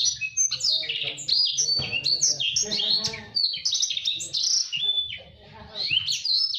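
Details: Energetic blacksang, a blackthroat x sanger cross, delivering dense master song for canaries: high scratchy warbles and sweeping whistles run together, over a faint low murmur, with a short pause near the end.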